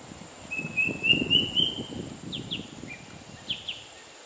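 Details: In Singapore, a Square-tailed drongo-cuckoo gives a rising series of four thin whistles, followed by a few short sharp high notes, over a steady high insect whine and low rustling.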